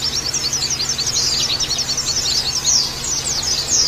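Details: Flock-style chorus of Oriental white-eyes for song therapy aimed at rough trilling: a busy stream of high, slurred chirps and short twitters, closely overlapping, with a quiet constant hum underneath.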